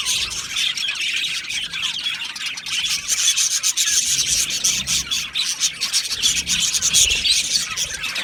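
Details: Budgerigars chattering together in a breeding aviary. Many fast, raspy chirps run together into a scratchy, buzzing texture that swells and dips but never stops.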